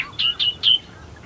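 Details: At first light among the reeds of Herdsman Lake, Perth, Western Australia, an Australian Reed-Warbler gives three loud, high, slurred whistled notes in quick succession, each sliding downward, over a quiet background.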